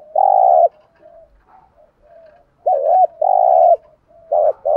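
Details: Cooing spotted dove in a 'gù' and 'gáy gọi' sequence: steady, hollow, mid-pitched coos, some held and some broken into two quick notes, coming in bursts with softer murmured notes between them.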